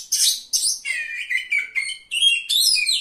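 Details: Contest Oriental magpie-robin, a third-place singer, delivering a rapid burst of sharp high chirps followed by clear whistled notes and a sliding high phrase, loud and varied.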